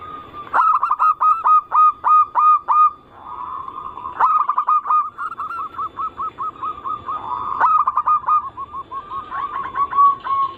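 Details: Zebra dove cooing song, a lure to prompt other zebra doves of local, Bangkok and crossbred types to sing: loud rapid series of clipped, hooked coos repeated about three per second, broken by brief rolling trills and sharp clicks.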